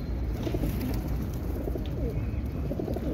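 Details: Racing pigeons in South Africa in 2024 give low, throaty, rolling coos, several birds murmuring at once over a steady low rumble.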